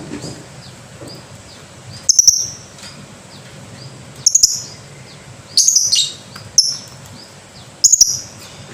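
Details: Lovebird producing irregular clusters of piercing, raspy chirps, some stuttered in quick triplets, separated by pauses of one to two seconds against a soft background hum.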